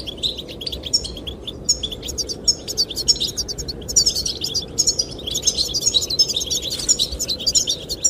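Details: Courting goldfinches, singing to attract the female, deliver continuous high, jangling twitters and quick chirped notes that grow denser toward the end, with a low wind roar behind.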